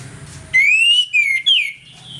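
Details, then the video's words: Orange-headed thrush singing loudly in the morning (ngeplong style), used as a lure to agitate other thrushes: a long clear whistle rising and slurring slightly down, then a short note and a higher sharp whistle falling away, over low hum. "ANIS MERAH NGEPLONG PAGI, PANCINGAN ANIS MERAH AGAR CEPAT EMOSI"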